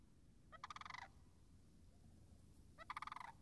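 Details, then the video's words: Near marsh and wetlands on March 26th, 2019, a Sandhill crane gives two loud, pulsed, purring rattles about two seconds apart over quiet background noise. "Wetland Marsh Audio - Sandhill Cranes"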